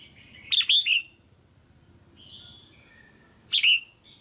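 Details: Caged female red-whiskered bulbul calling to stimulate a male or for pairing: two quick bursts of two to three sharp, bright whistled notes, about three seconds apart, with a faint thin whistle between them.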